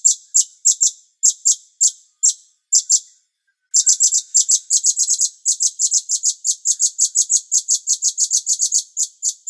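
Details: Bulbul (cucak cungkok) on a songbird training master recording: loud, sharp high chips, first spaced singly and in pairs, then a pause, then a long, quicker run of chips in uneven clusters.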